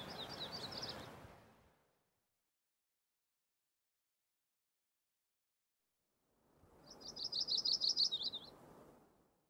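Yellow-rumped Warbler singing two loose, high musical trills of quick repeated notes, separated by a long silence, over a soft background hiss.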